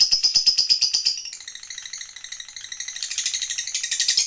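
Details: Fighter lovebird in full ngekek panjang, the long trill meant to lure other lovebirds into singing: rapid high pulses that blur into a rattling buzz in the middle, then grow louder and brighter toward the end.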